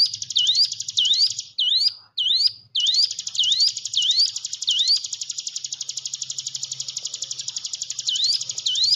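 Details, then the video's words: Hill prinia song used to get silent, timid cage birds singing: a run of sharp V-shaped swept whistles gives way to a long, continuous, buzzy rapid trill, with a few swept notes returning near the end. "ciblek gunung diam saja kurang loss mental ciut latih dengan pancingan ini"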